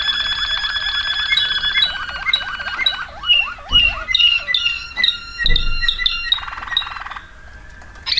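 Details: A Waterslager canary delivers a dense rolling trill, then repeated dipping bubbling notes, clicking chips and a fast chattering roll, ending in a quieter sustained buzz and a final sharp note.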